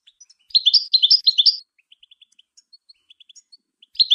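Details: European goldfinch song meant to stimulate other birds: a brisk series of paired twittering notes, followed by sparse soft clicks and a final brief twitter.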